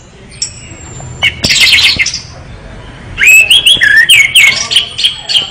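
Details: Energetic gacor song of an orange-headed thrush: a thin high whistle, a scratchy rattling burst, then rapid, looping whistled notes rising and dipping.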